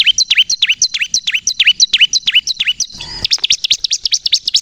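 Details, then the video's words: Crystal-type bar-winged prinia in full, persistent song meant to lure and provoke other ciblek: a steady series of sharp, high notes dropping in pitch, roughly three a second, broken by a short noisy burst. "suara burung ciblek kristal gacor untuk pikat dan pancingan ciblek bahan agar bunyi emosi"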